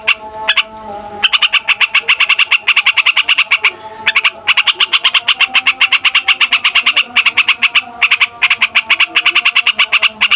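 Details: Yellow-vented bulbul's long rolling song, used as a lure for wild birds: a near-continuous run of rapid bright notes, broken by short pauses at about one, four and eight seconds.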